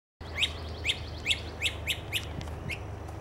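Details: Great crested flycatcher at Ochlockonee River State Park, Florida, on 29 April 2024: six loud, upward-sweeping whistled notes repeated about every half second, then a softer final note, over a faint low background hum.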